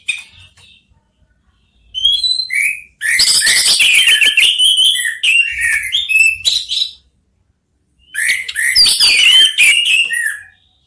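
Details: Orange-headed thrushes, three birds countersinging. Dense, loud outbursts of varied whistles, squeaks and high chatter arrive in two long bouts separated by silence, with softer scattered notes at the start.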